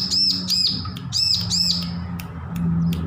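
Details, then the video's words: Young bar-winged prinia, just weaned from hand-feeding, practising its song: four arched, buzzy high notes in quick succession, then scattered clicks, over a steady low hum. "Ciblek lepas loloh belajar bunyi full masteran"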